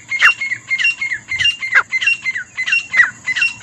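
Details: Grey francolin pair calling: fast, repeated harsh ringing notes, interleaved and overlapping in a rhythmic duet, with a steady high hiss and low rumble in the background.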